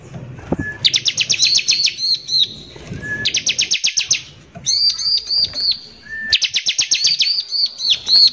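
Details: Bar-winged prinia giving harsh 'nembak kasar' lure song to excite other prinias: repeated bursts of fast, dry, high chattering notes, some ending in looping whistled phrases, each burst introduced by a brief thin whistle.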